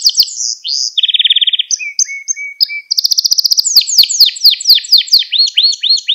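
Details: Lesson song of a canary, used to train young canaries: quick chirps, a fast bubbling trill, thin whistled notes, a dense rattle, then a run of looping rising-and-falling swept notes.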